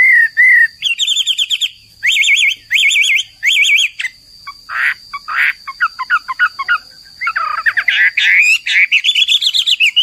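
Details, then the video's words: Chinese Hwamei (Garrulax canorus) singing loudly: rich warbling phrases of rapid trilled notes, repeated in bursts with short pauses, later buzzy harsh notes and a rising rapid series; a constant high electronic tone in the background. "MASTERAN HWAMEI WAMBI HOA MI GACOR DAN NGOTOT"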